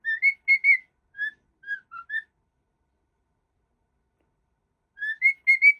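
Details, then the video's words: Happy pet cockatiel kept indoors, giving clear whistled notes, short rising and falling phrases of about six notes, then a pause of nearly three seconds before a further rising burst of three whistles. "Cockatiel So lovely"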